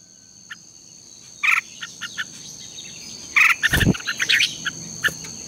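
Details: Red-whiskered bulbul lure song for morning singing training: short, scratchy chirps and a brief warbled phrase, broken by a loud low thump, with a faint steady high whine throughout.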